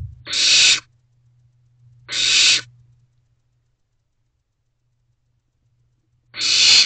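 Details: Young barn owl begging for food from its mother and father inside an owl box before dawn, 15 May 2023: three loud breathy hissing screeches, each under half a second, separated by long silent gaps.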